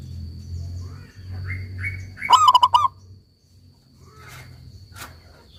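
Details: Local perkutut (zebra dove) singing energetically for dove-song therapy. Faint short chirps from other birds come first, then one crisp burst of quick, throaty pulsed coos, over a low background hum.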